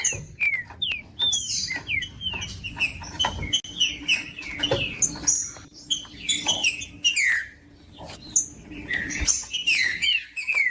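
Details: Green-winged saltator singing, played to rouse a cold caged trinca-ferro: busy stream of bright whistled slurs and chips with many overlapping notes, sharp clicks and a low steady hum beneath.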